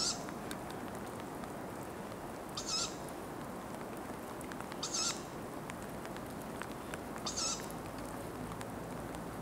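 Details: Tawny owl at Ostankino park repeating brief, breathy, high wheezing calls about every two to two and a half seconds, four in all, against a steady low hum.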